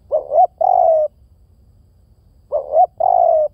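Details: Spotted dove giving low, mellow two-part coos, a short rising note then a longer steady one. The phrase repeats after about two seconds of near silence, with faint low background rumble.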